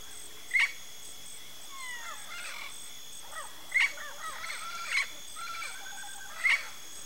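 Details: Yellow-faced parrot: loud, harsh, short squawks repeated at irregular intervals, with softer chattering and rising-falling notes between them, over a steady high insect-like whine.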